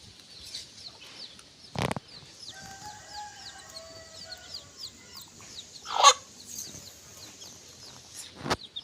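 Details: Baby chickens feed near the coop at dusk, guided by a free-range mother hen. Quick, high, downslurred peeps run continuously, a wavering lower tonal call sounds in the middle, and two sharp knocks cut in.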